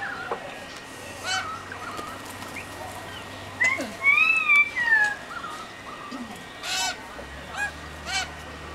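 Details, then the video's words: Unknown birds in eucalyptus forest of the Blue Mountains, Australia, give a loud looping whistle that rises and falls twice, then short scattered chirps, with a low steady background hum. "Birds of Blue Mountains in Australia"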